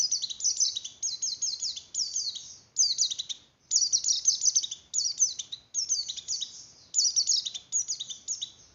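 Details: Javan grey-throated white-eye singing in breeding condition, the song meant to excite other white-eyes: sustained high, fast chattering strings of falling notes in repeated phrases, with almost no pause, on a clean quiet background.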